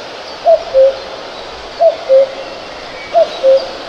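A cuckoo gives its two-note cuck-oo, a higher note dropping to a lower one, three times at about one-and-a-third-second intervals over a faint hiss.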